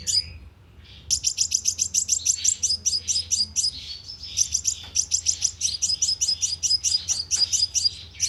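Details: Sunbird call played as a lure through a loudspeaker trap: after a second of near quiet, an unbroken stream of very rapid, high, metallic chips runs on for seven seconds.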